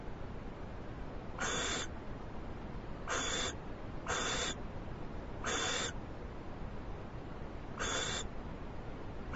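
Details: An owl, live-streamed on 21 February 2011 as it gets a big treat, repeats brief rasping hisses, six bursts spaced about one to two seconds apart against quiet background noise.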